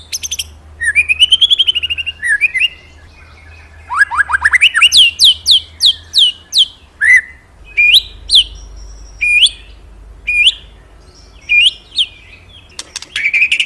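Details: Murai (magpie-robin) singing loudly, described as very vocal and used to lure captive birds: a varied run of whistled phrases, rising sweeps and sharp repeated upslurred notes with brief pauses between.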